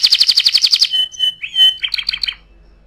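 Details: Canary song meant for tutoring other birds: a fast burst of about ten bright repeated notes, then a thin steady whistle with a short warble, and a closing quick chattering phrase.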